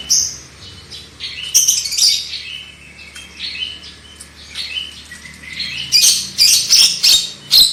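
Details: Lure song of a black-winged myna to encourage loud singing, a rambling run of whistles and slurred notes building into a series of loud harsh, rapid bursts near the end.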